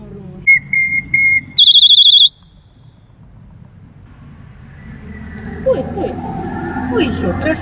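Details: Black-collared starling giving three short, clear, flat whistles and then a loud, rapidly trilled high whistle, after which the bird falls silent and a person's voice and rustling background noise take over.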